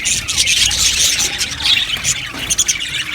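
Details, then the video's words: Budgerigar colony in an aviary, dense high-pitched chirps and squeals crowding together, with a faint low rumble underneath. "Amazing Budgies chirping sounds | Budgies parakeets sounds"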